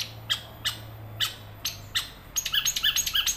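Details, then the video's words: Young wild long-tailed shrike's rolling song, used to prompt caged shrikes that have gone quiet. Spaced scratchy high notes break into a quick, jumbled chattering series of rising chirps near the end, with a low hum underneath. "Cendet ngerol buat pancingan burung cendet macet"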